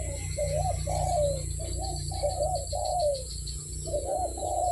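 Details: Barbary dove cooing in short, husky, wavering bursts about half a second long, several in a row with brief gaps. Heavy low rumble and hiss sit beneath the calls.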